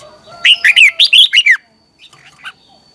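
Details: Red-whiskered bulbul morning training song, meant to spur other birds into singing: one crisp phrase of about six loud, slurred, whistled notes, followed by a few faint softer chirps.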